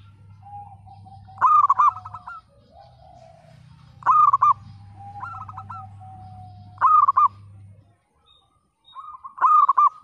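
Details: Actively singing local zebra dove, 'broken voice' style, meant to coax silent birds into song: four or five short bursts of rapid, bubbling coos, roughly every two and a half seconds, with a low droning hum beneath.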